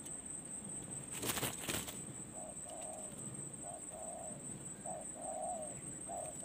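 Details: Spotted dove brought to a perch for a decoy-luring outing: loud wing flaps, then soft, low cooing notes in short repeated groups, with a constant shrill insect drone behind.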